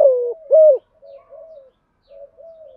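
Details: Spotted dove giving a 'thúc gù' urging coo in the earthy 'giọng thổ' style: two strong low hooting notes, the second rising then held, followed by soft, drawn-out murmuring coos that fade out.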